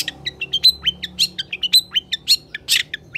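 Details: Long-tailed shrike in full song for tutoring reluctant shrikes: quick alternating whistled and buzzy notes, many short bright slurs, delivered in a brisk irregular stream with one harsh burst, faint low hum beneath.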